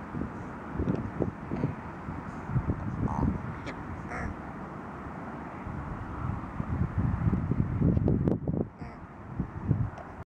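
Rooks give hoarse, grating caws in irregular bursts, several birds overlapping, over a steady low rumble of wind or distant traffic.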